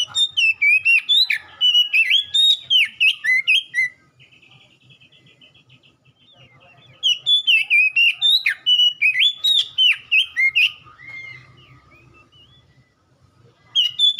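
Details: Kacer (Oriental magpie-robin) ombyokan song meant to get a bird to respond and sing. Two long bursts of rapid, loud, warbling whistles with sharp upsweeps, separated by a quiet gap of soft buzzy twittering.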